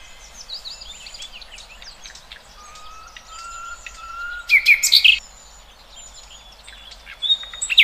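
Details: Soft chorus of wild birds: many faint overlapping chirps and a low sliding whistle, broken by a short loud burst of rapid notes in the middle and sharp calls at the end.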